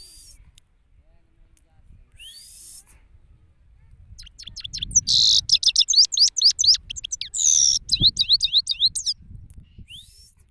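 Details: High twittering song of a male European goldfinch perched in the open in Pakistan, starting with scattered thin notes, then building into dense rapid trills and bright chirrups, with faint low rumbling in the background.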